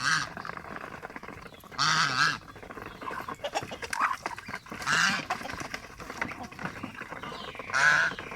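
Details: A pet domestic goose gives three loud, harsh, nasal honks about three seconds apart, with low rustling and murmuring in between.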